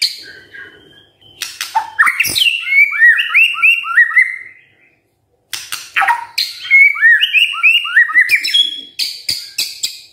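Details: White-rumped shama singing in the morning, played to make silent shamas respond: two bursts of varied song, each mixing harsh chattering clicks with fluid looping whistled phrases, separated by a short silence.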